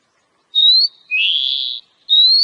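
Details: Wild Oriental magpie-robin, used as a lure recording: two clear, high, slightly rising whistles with a longer, lower, buzzier rising note between them, each lasting about a third to half a second, with a quiet background.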